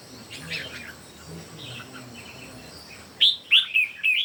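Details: Red-whiskered bulbuls, three birds dueling in song: soft distant chirps at first, then a loud close sequence of four sharp, sweeping whistled notes in the final second.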